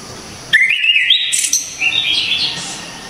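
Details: Orange-headed thrush singing loud, sharp, clear phrases valued for tutoring songbirds; a rising whistled run climbs into squeaky high notes, followed by a second jumble of quick twittering whistles.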